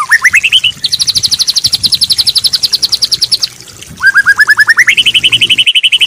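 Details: White-rumped shama training song with added filler phrases: rising whistled notes, a long fast trill of high chips, a pause, then stepped rising notes into another steady rapid trill.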